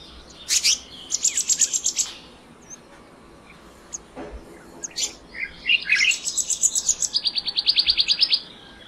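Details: Male black-naped monarch perched; high thin rasping buzzes and rapid ticking trills, with a long even series of sharp notes near the end and a brief quieter spell in the middle.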